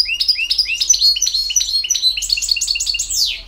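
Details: European goldfinch singing in the 'campero' song style: a dense, rapid stream of bright twittering notes and short sweeps, with a long descending slur at the close.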